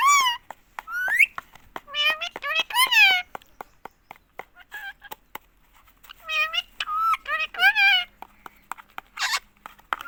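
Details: Talking pet ring-necked parakeet from India repeating "mummy" nonstop, its voice nasal and meow-like with sharply rising and falling word-like syllables in bursts, clicks and small taps between phrases.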